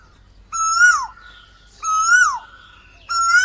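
Asian koel giving three loud, ringing notes, each slightly rising then falling, about a second and a half apart; quiet low rumble beneath.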